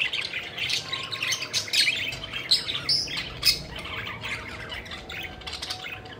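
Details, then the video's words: Pet budgies having a playful time, flying and chirping; sharp squeaky chirps come about once a second, busier at first and then thinning out. "Budgies Having Fun: Playful Birds Flying and Chirping Joyfully"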